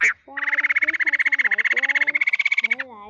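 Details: Male and female laughingthrush calling the flock for use as a trap lure; after one sharp note, a steady, fast rattle of about thirteen pulses per second lasts over two seconds, then a soft rising note.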